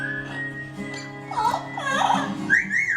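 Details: A cockatoo named Tico sings "Wind of Change" in warbling, vowel-like sweeps rising to a high, bright whistle near the end, over steady plucked acoustic guitar.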